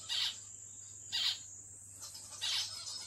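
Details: Pet zebra finch calling three times, brief buzzy nasal notes with pauses of about a second between them, over a constant high-pitched whine and faint low hum.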